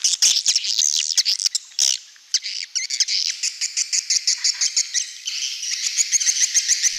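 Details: Swiftlets calling their flock, used to lure them outdoors: harsh twittering chatter giving way to a fast, steady series of clipped high chirps, several per second.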